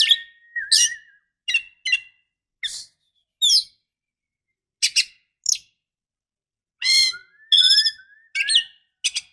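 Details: Female Oriental magpie-robin calling to stimulate a male: short scratchy chirps and buzzy notes separated by pauses, a few low whistled slurs, clean quiet background.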